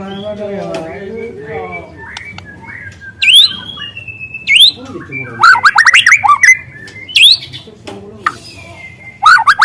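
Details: Free-living speckled young White-rumped shama singing: low harmonic notes open the song, then loud sharp swooping whistles and chattering bursts with short pauses between them.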